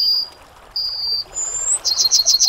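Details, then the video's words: Short piece of Yellowhammer song: two long level high whistles, a short upward-sliding whistle, then a quick stuttering run of five or six high notes. "Yellowhammer Singing"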